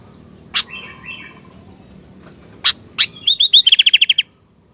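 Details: Sooty-headed bulbul singing: soft gurgling notes, a couple of sharp clicks, then a quick rattling series of about ten crisp, ringing notes ending abruptly.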